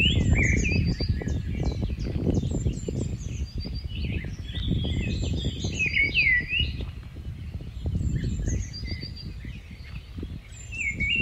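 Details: Continuous singing from a migratory Rufous-tailed scrub robin: varied, rapid warbled phrases repeated several times a second, mixed with a chorus of high-pitched chirps from other birds and constant wind rumble.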